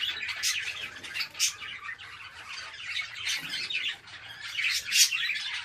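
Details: Many budgerigars, bred and kept at home as a hobby, chatter together in a dense, continuous warble of fast high chirps and squeaky notes, with louder sharp bursts standing out now and then.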